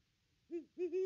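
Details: Great Horned Owl at the nest tree, captured on a nest cam on Christmas Day 2021, giving three deep, rounded hoots, the last one drawn out, over a quiet background.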